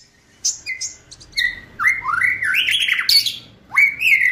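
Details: Gacor murai batu, the white-rumped shama, in a kretekan meant to stir emotion and hasten ngeplong singing: high whistles and chirps, then sliding, rising rich phrases that step upward, with a faint low room hum.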